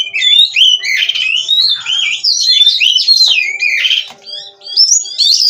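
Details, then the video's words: Oriental magpie-robin from a captive breeding farm singing nonstop in the vigorous 'gacor' style: a rich, varied run of whistled, warbling phrases, sliding up and down, with scratchy notes in between and a brief quieter dip near the end. "GACOR NONSTOP!! Rahasia Kacer Bikin Semua Kaget!"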